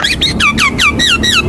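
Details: Rapid run of descending squeaky whistles, about six in under two seconds, from a Javan myna in a chatty 'gacor' master recording meant to lure birds to sing.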